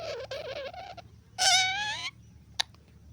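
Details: Green talking parrot: a wavering mid-pitched voiced phrase, a short gap, then a louder rising harmonic phrase, ending with a single sharp click.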